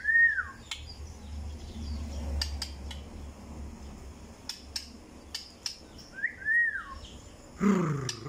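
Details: White-rumped shama (Copsychus malabaricus) song: two short, clear whistled phrases slurring up then down, several seconds apart, among sharp clicks, a low hum and a brief rough sound near the end.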